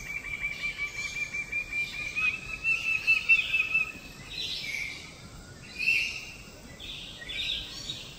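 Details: Lesser bird-of-paradise from Papua, locally Cendrawasih: a quick chain of clipped, ringing notes rising slightly in pitch for about three and a half seconds, then breathy rushes of sound and background noise.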